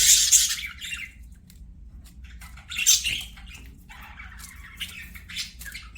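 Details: Singing budgerigars at play give two loud grating squawks about three seconds apart, followed by soft, thin, chattering warbles and faint chirps trailing off.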